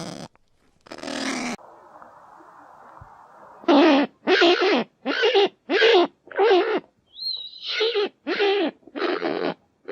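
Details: Kakapo (Strigops habroptilus): after a low steady hum, a run of eight loud hoarse calls follows at roughly half-second intervals, each a harsh burst with a falling tonal core, one interrupted by a brief high whistle.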